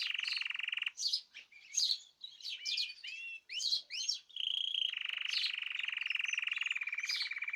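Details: Caged birds singing together, recorded 14 March 2026: long steady whistled tones alternate with bursts of fast rising and falling chirps, high-pitched and dense, several voices overlapping.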